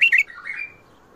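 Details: Bulbul in the Mandali-Badra song style: two sharp, loud chirps open a brief phrase that trails into a soft, slurred warble.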